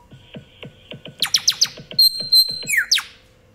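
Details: A pet African grey parrot mimics a phone ringtone precisely, with a run of quick, bright chirps, then sustained electronic-sounding whistled tones and a descending swoop, over a steady low beat.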